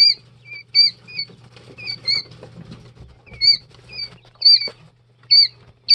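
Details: Two- and three-day-old Jumbo White Quail chicks peeping: clear, thin chirps with a quick downward bend, given in short bursts of two to four notes with brief quiet gaps and a low steady hum underneath.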